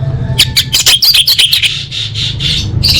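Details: Female orange-headed thrush calling males, used to draw quiet birds into song: a rapid, chattering run of high, scratchy notes, followed by softer repeated squeaky notes over a low hum.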